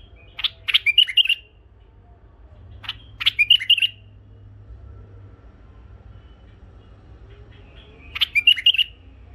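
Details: Tame pet bulbuls, one male and two females, singing sweetly: three bubbly, fluttering phrases of quick chirps and warbled notes, each about a second long and spaced several seconds apart, over a low steady hum.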